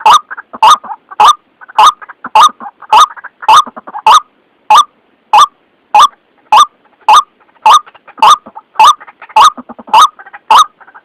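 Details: White-breasted waterhen lure call for trapping, described as clear and not distorted, like in the wild: a harsh double-noted croak repeated steadily, almost two per second, on a quiet background.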